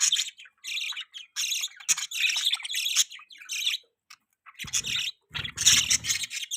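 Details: Chirping from pet budgies: raspy, buzzy warbling phrases repeated in rapid bursts, separated by short pauses, with a brief low knocking sound near the end.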